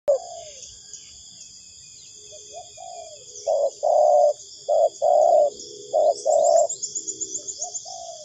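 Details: Spotted dove calling as a lure for bird trapping: loud, low, hollow coos in short bursts, some paired, with a softer trailing coo. A steady high insect drone runs throughout, and faint chirps sound near the end.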